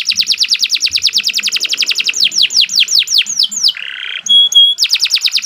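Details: Canary song for teaching other birds: a steady run of rapid downslurred chirps slowing into wider swoops, a short harsh buzz, a few pure high whistles, then the rapid chirping returns.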